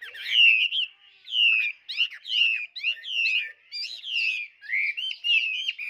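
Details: A tame captive Chinese hwamei, described as singing very vigorously, pours out a rich, energetic run of loud whistled phrases, sliding and slurred notes tumbling about once a second, with no other sounds.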